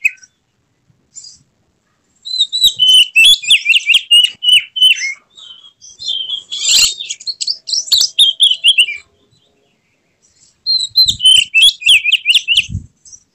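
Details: Oriental magpie-robin (kacer) singing in an emotional display with tail spread, meant to provoke rival birds: loud bursts of rapid, varied whistles and chattering trills, in three phrases separated by short pauses.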